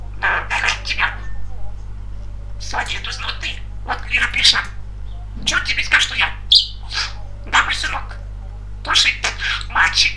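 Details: A talkative male pet budgerigar talks in quick, scratchy, high-pitched bursts of speech-like chatter, phrase after phrase with brief pauses, over a steady low electrical hum.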